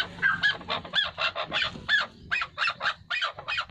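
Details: A chukar partridge pair gives a rhythmic run of hoarse, clucking double notes in a steady chuk-chuk-chukar pattern, roughly three per second, over a faint low hum.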